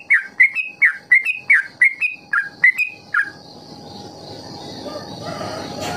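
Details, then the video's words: Trucukan ropel song for training young trucuk: about three seconds of quick repeated fluty whistled phrases, each with a dropping slur, followed by steady hiss and faint background noise after the singing stops. "Trucukan KEJORA Sangat Ampuh Memancing TRUCUK Belajar Ropel"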